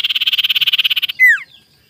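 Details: Morning lure recording of an ashy tailorbird (sirtu) to stir rivals: a rapid, even, buzzy pulsed trill of about twenty beats lasting a second, cut off by a sharp downward-slurred note.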